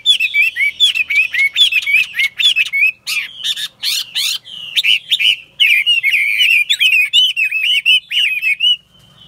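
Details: Strong-singing caged Chinese hwamei, said to sing and fight well, pours out a long run of varied whistles, slurred up-and-down notes mixed with sharp broadband clicks, phrases tumbling quickly one after another with few gaps.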